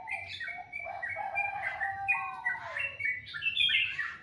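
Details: A bird singing in the morning, a sweet, varied run of whistled and warbled phrases with slurred notes rising and falling almost without pause, in a quiet setting.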